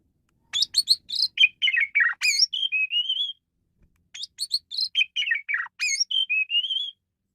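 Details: Male Asian pied starling singing a varied song used as a lure: two long, dense phrases of rapid chattering notes that run down in pitch and end in wavering whistles, on a clean, quiet background.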